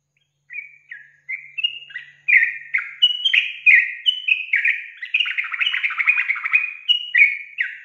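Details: Yellow-vented bulbul (trucukan) lure song, meant to agitate untrained young bulbuls and make them sing: lively, bubbly run of short chirping, slurred whistled phrases, some falling, packed closely together and growing busier, on a clean quiet background.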